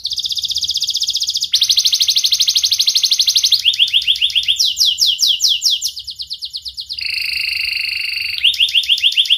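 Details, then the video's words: Canary song from a young sharp-voiced bird used to train young canaries; a sequence of shifting rapid trills, rolling slurred notes and a lower steady buzzy trill, each phrase lasting one to three seconds. "Masteran Kenari Gacor MUDA Suara TAJAM, Pancingan kenari PAUD belajar Bunyi & pancingan kenari MALAS"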